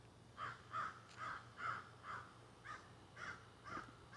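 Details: Crows that flew up into trees behind someone working outside with plants, squawking and carrying on, recorded on a cell phone; harsh, hoarse caws repeated about every half second in an uneven series, over a faint low hum.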